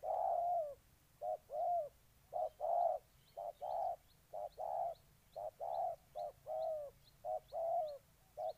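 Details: Rhythmic low coos of a spotted dove in Ninh Thuận, pairs of clipped and fuller notes repeated evenly about every second, with faint high ticking calls in the background.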